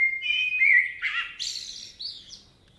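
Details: Common blackbird singing in a forest in Spain: a mellow, slurred whistled phrase that rises and falls, ending in a burst of high, squeaky twittering notes, with a quiet background.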